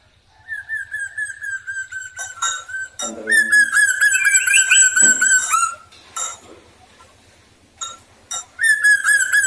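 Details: Black drongo in lure song for drawing other birds to sing: repeated long harmonic whistles, a buzzy wavering rising phrase in between, short sharp notes, and a final rich whistle, with a constant faint low pulsing underneath.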